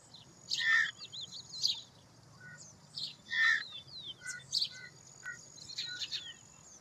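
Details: Citrine wagtail foraging in the fields, giving short buzzy call notes about every one to two seconds, mixed with thin whistles and high descending chirps from other birds; faint low background hum.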